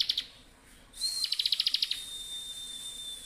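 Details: Bar-winged prinia in continuous 'ngebren' song. A few clipped notes, a pause, then a quick series of sharp, bright, pulsed notes over a thin high whistle. The whistle holds steadily for more than a second after the trill stops.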